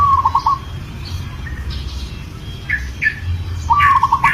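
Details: Local zebra dove in breeding condition calling a female: two bursts of a high, stuttering trill of rapid notes near one pitch, opening and closing the clip, with brief chirpy calls from other birds and low background rumble between.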